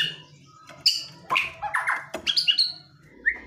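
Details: White-rumped shama (murai batu) singing an aggressive song used to provoke a quiet bird into responding: varied chirps and short whistled notes at shifting pitches, some harsh and some clear, with pauses between bursts.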